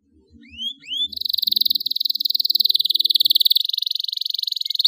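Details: Canary song used as a training lure (pancingan) to help young canaries learn to sing quickly: two rising whistled notes, then a long, fast, even trill held high for about four seconds. A faint low murmur sits underneath early on.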